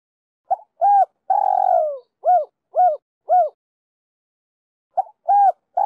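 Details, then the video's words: Spotted dove cooing in the Đồng Rặc style, a three-ending call meant to excite decoy and wild doves: brief lead notes, a drawn-out descending coo, three crisp short coos, then a pause before the phrase restarts. "Cu gáy giọng Đồng Rặc gáy gọi 3 hậu kích mồi,bổi nhanh nổi"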